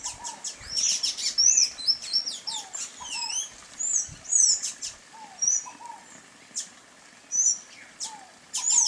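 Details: Sayaca tanager calling: thin, squeaky high notes, short upswept and downslurred, in quick bursts among several similar calls, with lower, downslurred chirps from other birds throughout.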